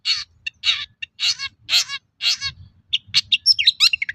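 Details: Long-tailed shrike in lively song, used as a lure to prompt other shrikes to sing: a run of harsh, rasping notes that breaks into a fast, varied chatter of sharp chips and twittering phrases.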